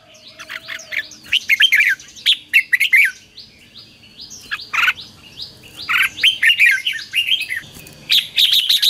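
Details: Red-whiskered bulbul song used as a lure to call wild birds and rouse a decoy bird: busy run of liquid, warbled whistles and chirps, delivered in rapid bursts almost without pause, ending in a sharper flurry.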